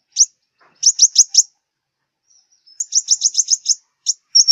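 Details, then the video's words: Southern Vietnamese five-colour sunbird song used to lure birds onto glue traps: single high chip, a quick group of four sharp notes, a pause, then a fast series of six piercing ticks and a final thin whistle. "Tiếng chim hút mật 5 màu miền Nam"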